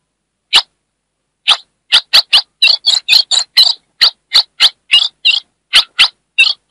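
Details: Female ultramarine grosbeak from Brazil's Northeast chirping to stimulate the male: a single chip, a pause, then about eighteen rapid high chips in a fairly even run, clean background.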